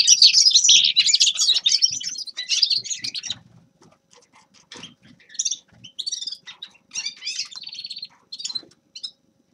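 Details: Grey-crowned goldfinch song: an energetic rush of twittering for about three seconds, then scattered short chirps and brief trilled phrases separated by quiet pauses.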